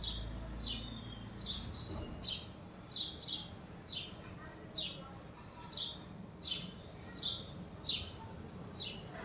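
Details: House sparrow giving a steady series of short, bright, downward-slurred chirps, roughly one or two a second, over a low background hum.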